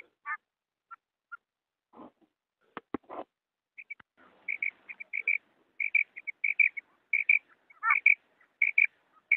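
A female quail gives short, high, clipped notes, often paired, repeated in quick bursts, after a few opening clicks and knocks.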